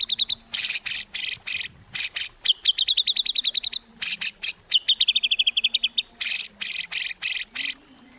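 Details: White-rumped shama singing as a lure for captive birds: bursts of harsh, buzzy rasping notes alternating with fast high trilled runs, repeated steadily with short gaps.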